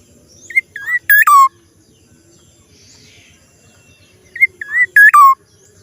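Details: Black-naped oriole's strange sound, given twice: short soft whistles building to a loud bright note and a downslurred fluty ending. A quiet pause of about three seconds separates the phrases.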